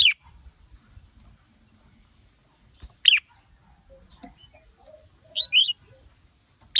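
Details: Red-whiskered bulbul, female used to fire up a male's singing: isolated sharp dropping notes spaced seconds apart and a brief two-note whistled phrase, background otherwise quiet.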